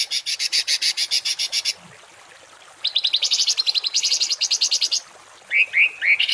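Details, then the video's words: Harsh 'tembakan kasar' songbird phrases, a tutor recording for training cage and contest birds: a fast buzzy pulsed burst of about twenty rasping notes, a pause, another rattling burst, then three short rising whistled upslurs. "MASTERAN BURUNG TEMBAKAN KASAR || Suara Masteran kasar langganan juara"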